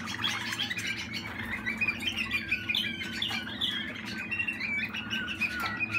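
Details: Waterslager canary of the Malinois type, a 2020 young bird, pouring out rapid rolling trills and bright slurred whistles in near-continuous phrases above a faint constant hum.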